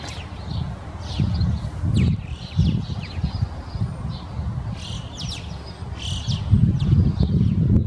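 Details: Alpine choughs in winter, down from the mountains in a town in a large group: many thin, high, rising and falling whistled calls overlapping irregularly, over heavy low rumbling background noise.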